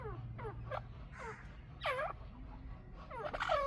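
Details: A pair of Chukar partridges utters scattered, downward-curving chuk notes, becoming louder and more complex toward the end, with a low steady drone underneath.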